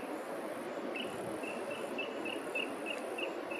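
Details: Rainbow bee-eater at Currimundi, Queensland, giving short, high trilled notes, about three per second, over a steady broad hiss like distant traffic or wind.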